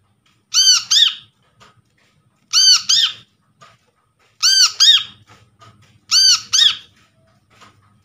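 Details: Lure call of a brown-throated sunbird, taken from a trapped bird, meant to get a quiet bird singing again: paired loud ringing notes, each sharply arched, repeated about every two seconds, four times, with faint low background rumble.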